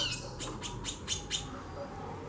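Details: A female chorão, or White-bellied seedeater, 'xaxando': five short, dry, high-pitched chips repeated about every quarter second against a faint low hum.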